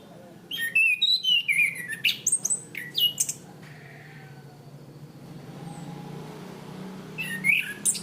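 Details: Training recording of a caged Orange-banded thrush (Zoothera interpres): a quick series of varied whistled and chirping notes over about three seconds, a quiet pause with background hum, then a final burst of high notes.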